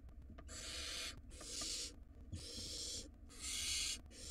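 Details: Barn owl nestling in a wild nest box, recorded while it swallows a rodent. It gives four long, rasping, noisy hisses, each close to a second, separated by brief pauses.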